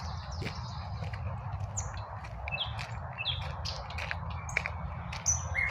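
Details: Wild birds in a park on a spring midday, scattered short chirps and bright whistled notes from several birds over a steady low rumble of highway traffic.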